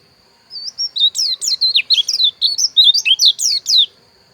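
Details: Dakun bali pleci (white-eye), Pupuan, Bali: a lively stream of bright, high, zigzagging notes, some swooping downward, delivered rapidly for just over three seconds.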